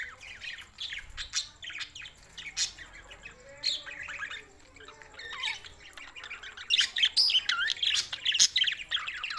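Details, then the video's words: Budgies from Larkana, Sindh, June 7, 2024, chattering in loose twitters that swell into a fast, loud run of squeaky chirps and whistles toward the end. "lonely Budgies Barids"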